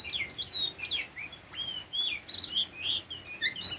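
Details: Oriental magpie-robin, a tame bird, sings a rapid sequence of sweet whistled notes, upward and downward slides and sharp ticks, almost continuous across the few seconds.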